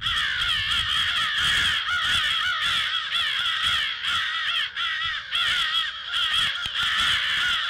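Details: A dense chorus of alarmed crows, recorded on 18 February at 08:50, with harsh, wavering caws pouring out almost without pause as many birds call over one another, loud and continuous.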